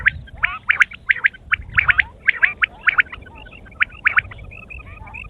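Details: A morning quail call, with quick bright chirps and gurgling notes in dense clusters repeating roughly every half second, over a faint low rumble.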